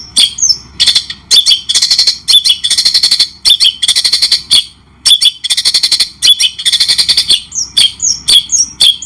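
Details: Cendet-style White-rumped shama training recording for teaching birds: loud, rasping rattles and rapid harsh trills in long bursts, broken by short pauses and occasional quick whistled slurs.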